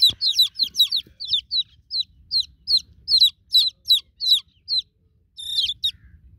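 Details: Newborn chicken chicks calling for their broody mother hen: shrill, high, downward-slurred peeps repeated about two or three per second, a short lull near the end, then a brighter double peep.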